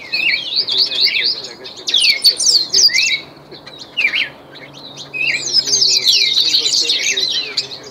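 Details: A trained ultramarine grosbeak sings long, rapid warbling passages of high sweeping whistles and twittering notes, with a brief softer pause in the middle.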